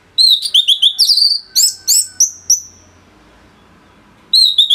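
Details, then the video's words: An Orange-headed thrush, recorded as a training model for songbirds, gives a rapid run of clear whistles and chirps ending in a long fading whistle, then resumes after a pause. "ANIS MERAH Gacor Suara Rapet Bagus Untuk Memaster Burung Punglor"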